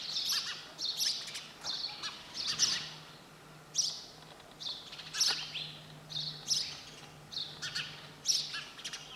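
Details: Sparrow giving separate high chirps, each a short bright burst, spaced roughly every half second to a second across the stretch, with a faint background hum.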